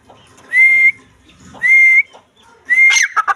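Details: Female grey francolin (teetar, Dakhni teetar) calling: three loud, shrill whistled notes, each level and slightly rising at the end, spaced about a second apart. The last note runs into harsher, scratchy sounds. The background is quiet.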